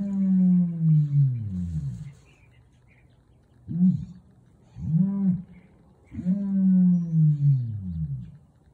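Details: Red/Blue male ostrich booming in the early morning at an ostrich farm in San Diego; deep rumbling booms, long falling notes alternating with short low hoots, about six low resonant sounds over nine seconds.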